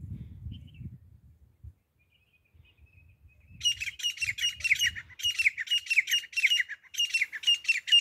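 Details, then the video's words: Grey francolin (desi teeter) hunting call: a quiet start with a low rumble, then from midway loud grating notes burst out in fast clusters of several squawks, with short pauses between bursts. "desi teeter grey partridge grayfrancolin hunting sounds"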